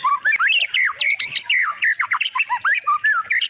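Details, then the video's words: Energetic white-rumped shama song used to train other birds: a nonstop string of loud whistled swoops, jumping between low and high notes, some sharply rising, others falling, delivered several per second. "Masteran Murai Batu Emosian? Coba Suara Aneh Ini, Langsung Jadi Juara!"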